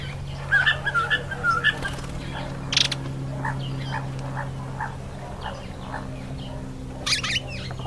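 African green pigeon giving a few fluty, wavering whistles, then softer repeated clipped notes, with two sharp bursts of sound over a steady low hum.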